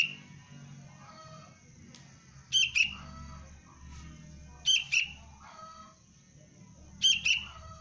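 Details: Young sooty-headed bulbul in basic training as a 'pikat cengkram' lure bird. Three pairs of sharp, bright chirps at roughly two-second gaps, each pair a quick double note, over a low steady hum.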